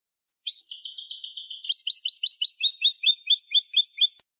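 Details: European goldfinch song used to train young goldfinches: a continuous four-second stream of rapid tinkling twitters, about two notes per second in its later part, bright and high over a sustained whistle, no background noise.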